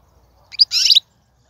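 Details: Wild European goldfinch, 2019, singing to motivate caged birds: one quick high note followed by a dense, buzzy twittering burst of about half a second, then silence.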